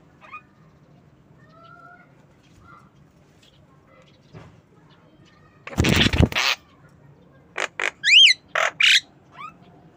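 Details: Javan myna kept as a pet, calling in the afternoon: after quiet faint chatter, a loud harsh grating burst comes, then several short rasping notes and a sharp whistled zigzag note, ending with quieter hoarse calls.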